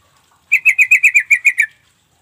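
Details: Call of a sooty-headed bulbul, used to make silent birds answer back: nine sharp, evenly spaced chattering notes delivered quickly in roughly a second against a quiet background.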